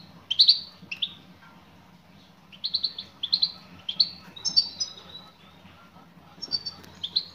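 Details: Female European goldfinch calls meant for a male: bright twittering chirps in short volleys, some thin drawn-out high notes, with brief quiet gaps between bursts.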